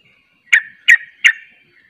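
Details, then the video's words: Sooty-headed bulbul in ropel song, another bulbul joining. Three rapid, harsh, rasping bursts repeated about every third of a second, each with a short fading tail, over a quiet background. "Ropelanya Bikin KAGET Trucuk Lain Ikut Ropel"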